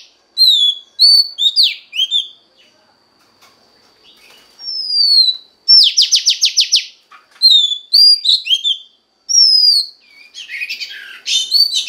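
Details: Oriental magpie-robin female singing to stimulate a male, giving varied sweet slurred whistles and short notes, a sliding whistle, then a rapid buzzy rattle of six strokes, more whistled phrases and a scratchy chatter at the end.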